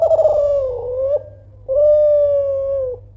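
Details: Kelantan spotted dove calling loudly and persistently to provoke rivals into answering: a wavering, slightly trilled coo sliding downward, a short pause, then a long steady pure coo ending with a small drop, over a low background hum.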